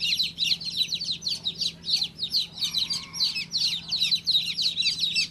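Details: Shrill, fast chirps from a baby chick, each peep falling sharply in pitch, packed closely together with barely any pause between them.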